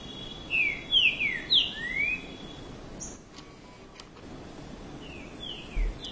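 A Green-winged Saltator sings a quick run of five clear, slurred whistles over about two seconds, then adds a few more notes after a pause, against faint outdoor background.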